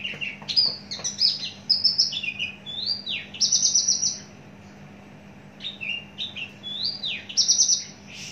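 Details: Caged Javan bush lark, a long-kept mature bird with a very large body, sings a varied high song of sharp slurred whistles and fast buzzy trills, the phrases broken by brief pauses. A steady low hum sits underneath.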